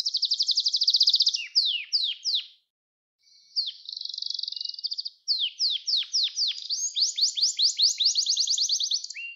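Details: Singing Gloster canary for training and stimulating other canaries: a bright trilled roll, falling chirps, a brief silence, then a buzzy roll and a long run of rapid, evenly repeated high notes.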